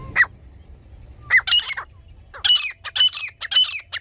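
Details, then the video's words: A female grey francolin, used as a hunting lure call for partridge, gives harsh squawking notes, first single, then quick ringing bursts roughly every half second, with a faint low rumble beneath. "Female Grey Francolin Hunting Voice"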